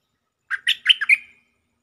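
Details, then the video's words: Stripe-throated bulbul lure song: one brisk bubbly phrase of five quick warbled notes, rising and falling, ending in a short trailing whistle, on a silent background. "Suara pikat merbah lekir gacor"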